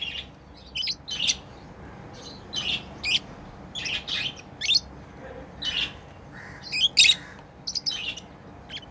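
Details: Pet lovebirds chirping while playing: short, sharp high chirps and squeaky notes in irregular bursts, several close together around the fourth and seventh seconds, over a low steady background hum.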